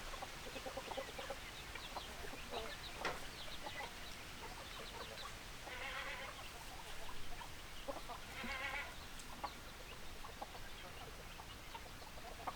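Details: A flock of chickens clucks steadily, with two louder bursts of rapid, harsh cackling around the middle against a hissy farmyard background.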